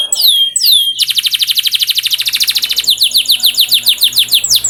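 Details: Canary singing, meant as a lure to prompt caged canaries into lively song: two swooping whistled notes, then a long rapid rattling trill of bright high notes, ending in a series of downslurred chirps.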